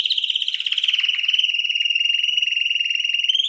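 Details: A 2021 champion canary delivers one sustained rapid trill, evenly pulsed and slightly falling, held steady for several seconds before rising at the end; no other sounds.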